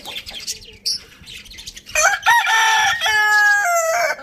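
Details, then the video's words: Farm rooster in a village crowing loudly, a strong, nasal, drawn-out crow in two held parts after some quiet clucks, with small birds twittering behind. "Amazing chicken rooster crowing sound in the farm village"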